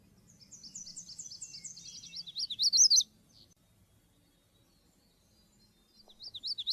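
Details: Magnolia warbler song, Bogor: a quick, high run of thin sweet notes ending in a few louder slurred phrases, about two and a half seconds long; a second song begins at the end over a faint low hum.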